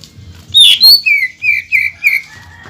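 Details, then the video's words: Greater green leafbird singing to stir up other leafbirds: a loud bright squeal followed by a string of five slurred, slightly descending whistles, evenly spaced. "CUCAK IJO GACOR BONGKAR ISIAN DAN TEMBAKAN RAPAT BIKIN CUCAK IJO KALIAN EMOSIAN"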